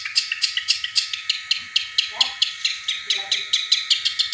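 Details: Caged long-tailed shrike imitating the tengkek buto to stir silent birds into song. Rapid, harsh, chattering notes repeat steadily about five times per second, with faint low voices in the background.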